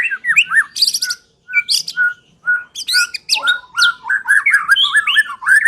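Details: White-rumped shama song used as a lure to get a silent bird singing: a fast run of varied whistled and chattering phrases, slurred notes swooping up and down, short pauses between bursts.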